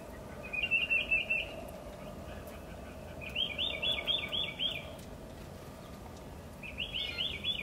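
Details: Woodpecker calling in quick rattling bursts of sharp, repeated notes, three separate runs with quiet gaps between them; light background hiss and a faint low hum.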